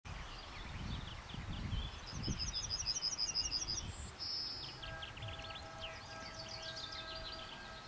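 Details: Yellowhammer of the nominate subspecies citrinella, recorded in Escherange, France, in May 2012: a quick series of about nine high, thin repeated notes, then a longer closing note. Other birds twitter faintly, with low rumbling background noise.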